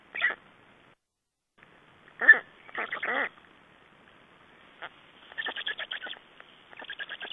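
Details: Black storks at a nest in Estonia on 3 June 2011, at a nest exchange with feeding: a few hoarse, down-slurred nasal calls, then a long series of quick, fainter chattering notes.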